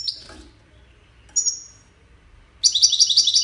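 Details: Wedani European goldfinch giving a short sweet note, a thin drawn-out whistle, then a fast liquid twittering trill of repeated bright notes at the end.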